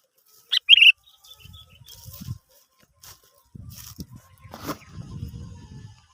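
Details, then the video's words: Sooty-headed bulbul phrase used as a lure to prompt other birds to sing: one short, bright, chirpy burst near the start, followed by rustling, scraping and low thumping noises. "Pancingan Burung kutilang"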